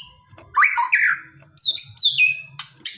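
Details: White-rumped shama singing aggressively to provoke a response, with a rich warbled phrase followed by high sliding whistles and brief sharp notes, over a faint low hum.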